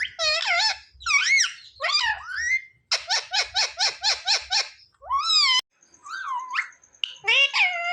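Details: Talking pet parrot that says mummy and papa; quick run of high, wavering speech-like syllables, then a string of about eight evenly repeated notes and a rising call, indoors.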